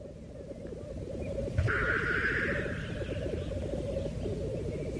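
Black grouse give a continuous low, bubbling cooing made of rapid throbbing pulses, broken once by a sharp, breathy hiss.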